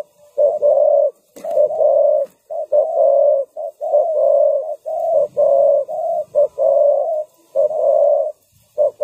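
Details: Decoy spotted dove cooing on the ground to attract wild birds for trapping. Repeated mellow two-part coo phrases are broken early by a sharp click.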